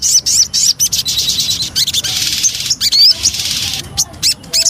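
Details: Javan cochoa lure song: choppy bursts of high chattering, a rushing buzzy stretch, and a few clear rising whistles separated by short gaps.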